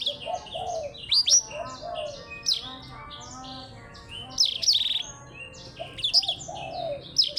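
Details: Blackthroat matched against a Java sparrow in a singing contest: loud, varied bursts of sharp high chirps and fast trills recur every one to two seconds over softer, lower warbling notes and faint background noise.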